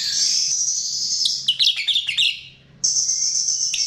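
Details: Chestnut-tailed starling singing for a lure: a steady high-pitched buzz, then a jumble of squeaky warbled notes, a short pause, and the buzz returning.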